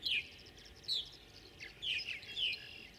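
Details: Tree swallows competing heavily for nest boxes, giving four clear, liquid downslurred chirps in about three seconds, spaced irregularly, with faint high twittering between them and a low steady hum underneath.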